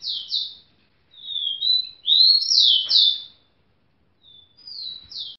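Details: Rufous-collared sparrow female calling to solicit mating toward a hand: repeated clear high whistled phrases of gliding, down-slurred notes, separated by short silences, with no other noticeable sounds.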